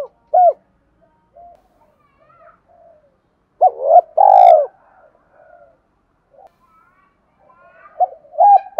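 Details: Spotted dove giving 'Thúc' style lure cooing for wild doves: scattered short notes, a strong pair of hooked and long burry coos midway, then faint distant cooing and a final louder pair.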